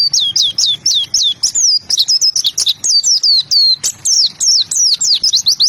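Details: White-eye song: rapid, high, sweet downslurred chirps and twitters strung together almost continuously, each note brief and sharply falling, with crisp clicks between notes.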